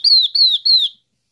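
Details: Yellow-eyed babbler calling to attract its flock: three loud, high whistled notes, each sliding gently down in pitch, evenly spaced within one second, then silence.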